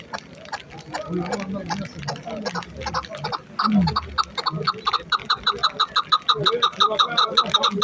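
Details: Chukar partridge kept as a fighting and hunting bird, giving a rapid run of sharp repeated chuk notes, about three per second, building steadily in the second half; people talk and laugh in the background.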